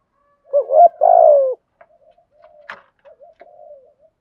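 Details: Male and female spotted doves giving stimulating calls for dove training; one full low phrase of a short rising coo and a long burred falling coo, followed by soft quiet coos and a brief sharp click.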